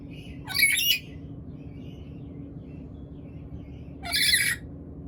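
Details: Hungry black-capped lory acting up when wanting food: two harsh, raspy squawks about three and a half seconds apart, each brief and noisy, with a quiet background between.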